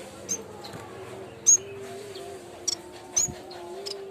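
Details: Yellow-bellied warbler (cikrak bambu) lure recording for training songbirds: four short, piercing high whistles spaced irregularly, each a quick upward flick, above a continuous low tonal hum.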